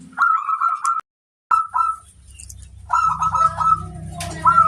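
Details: Local wild-type zebra dove singing, kept as a tutor bird: rolling, stuttered cooing phrases in two bursts with a short silent break, then a longer trilled phrase; a low droning hum runs underneath the later part.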